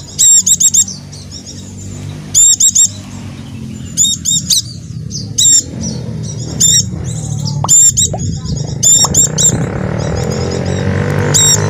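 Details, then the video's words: White-eye, dakun jawa style, used as a lure so caged white-eyes join in; loud shrill notes in short bursts every second or so over soft high twittering, with a low hum and rising background hiss. "pleci macet akan ikut bunyi dengar pancingan ini | pleci dakun jawa"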